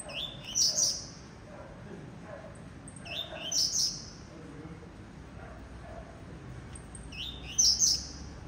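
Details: Blue-black grassquit kept in captivity gives its brief buzzy song three times, each an upward-sliding note capped by a bright high flourish, separated by pauses of several seconds; faint lower chatter in the background.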